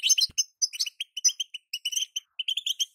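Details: Female European goldfinch calls, used to speed up singing in a moulting male; a quick run of short, bright chirps and twitters, some clipped and tinny, with brief gaps and a soft click near the start.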